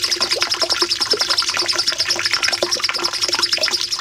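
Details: Master song of a cucak cungkok bulbul for training caged birds: a continuous thin, high-pitched trill of rapid, repeated notes, with soft lower chips mixed in.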